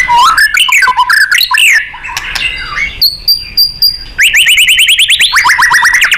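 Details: Training song of a white-rumped shama for contest birds, 'nembak' style: varied whistles and chatter, then thin high repeated tones, ending in a fast series of rising whistled strokes repeated several times a second.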